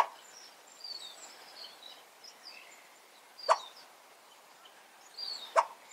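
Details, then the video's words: Crested coua, a species that rarely calls, gives two short, hollow barking notes about two seconds apart, its first-ever such bark; the owner assumes it was upset. Faint high chirps of other birds behind. "Crested Coua calls"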